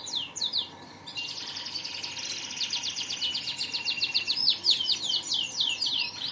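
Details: Canary delivering a few quick falling notes, then a long, steady, high rolling trill that breaks into sharp zigzag notes toward the end.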